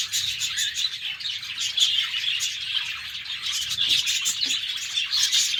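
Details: Many caged budgerigars chattering in the morning, a continuous mesh of bright chirps, whistles and scratchy warbles with a few louder notes standing out.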